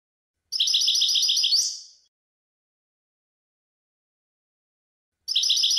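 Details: European goldfinch song from a 2020 recording; a loud phrase of rapid repeated high tinkling notes lasting about a second and a half, ending in a sliding buzzy note, then silence before the next phrase begins.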